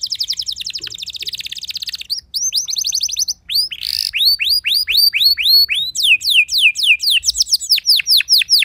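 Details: Canary singing to goad other canaries into answering: fast high trill shifting into a chain of rising whistled slurs, a brief harsh burst, then steady downward-curving notes repeated about four times a second.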